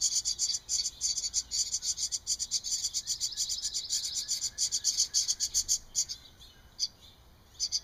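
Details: Hungry wren nestlings, 13 June 2011, keep up a dense run of shrill, high chirps that pulses rapidly for about six seconds. It then breaks into a few scattered single notes with quiet gaps between them.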